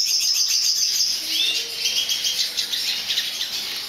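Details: Aviary-bred lesser goldfinch of subspecies jouyi, 2011 recording: dense, high-pitched twittering song with fast chattering notes and a few thin, drawn-out whistles in the middle.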